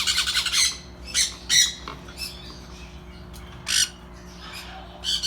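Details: Sun conure chicks that are just starting to eat give harsh, raspy squawks in short bursts, begging for food.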